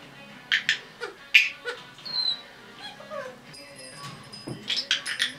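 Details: Young female red-bellied parrot kept as a pet, roughly 10.5 months old, making scattered squeaks, clicks and short whistles, then a steady high whistled tone and a run of quick raspy chirps.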